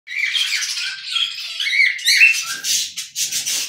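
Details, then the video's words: Charcoal cockatiels whistling for the first time, with two types of whistling at once. Dense, overlapping squawky chatter with harsh, noisy calls that swell and fade in bursts, ending in rapid broken notes. "Cocktail Parrots Start 2 Types Of Whistling At A Time"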